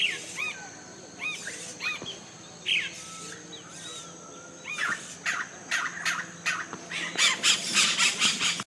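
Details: Yellow-rumped cacique colony in Colombia: a series of liquid, arching whistled notes repeated about once a second. These give way to a rapid run of loud, harsh, crackling bursts near the end, with other chatter in the background.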